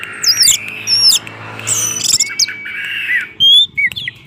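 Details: Orange-headed thrush song used as a lure to get silent orange-headed thrushes singing continuously. Rapid, varied whistles sweep up and down in short bursts, with a steadier whistled phrase and loud high trills near the end, over faint background hum.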